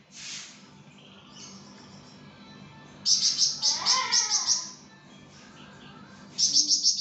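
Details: Flamboyan in full song for a songbird tutor recording: a fast string of about eight high, ringing chirps, a lower warbling slur beneath, then another quick chirp series at the end.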